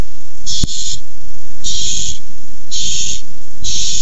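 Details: Barn owls fighting over a tiny mouse on 6-4-15. Four drawn-out hissing screeches sound about a second apart, with a sharp click near the start and a low steady rumble underneath.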